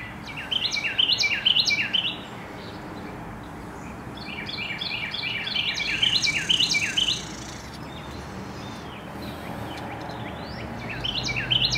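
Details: A very vocal Carolina wren (Thryothorus ludovicianus), called "he" by its observer, sings in the late afternoon: loud, rolling bursts of rapidly repeated ringing phrases, three bursts over about twelve seconds, over a soft low hum.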